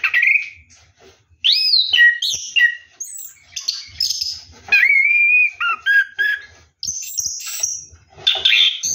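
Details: Orange-headed thrush, ngeroll song while bathing at night: loud whistled phrases with upward and downward slurs and buzzy chirps, delivered in bursts with short silences.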